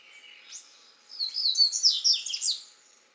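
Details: Double-collared seedeater, a male feeding on grass seeds in Brazil's Caparaó National Park, morning of 9 January 2017, camcorder recording. A thin whistle, then a rapid, jumbled burst of high twittering notes lasting about two seconds; a Green-winged Saltator sings in the background.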